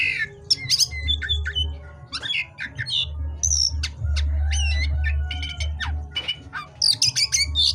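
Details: At night, an oriental magpie-robin sings a busy medley of dense ticking rattles, short whistles and buzzy notes, almost without pause, with a constant low hum beneath.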